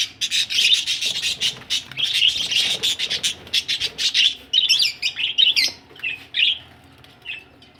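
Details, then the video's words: Dense, rapid chattering from budgies ready for laying eggs, many scratchy chirps tumbling together for about five seconds before thinning into a few warbled notes and fading. "budgies ready for laying egg"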